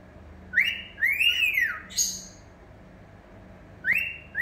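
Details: A pet cockatiel gives loud, clear rising whistles that swoop up and fall, like a human wolf whistle. This is its own custom version of a catcall whistle song.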